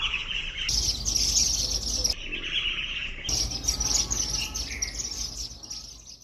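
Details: Indian silverbills eating millet at a garden bird feeder give quick, thin high chirps, several birds overlapping in a busy, irregular chatter, over a low rumble of background noise.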